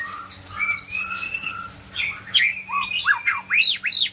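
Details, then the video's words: Medan white-rumped shama song: drawn-out soft whistles giving way to sharp, rising and falling chips delivered in quick succession. "kicau murai medan"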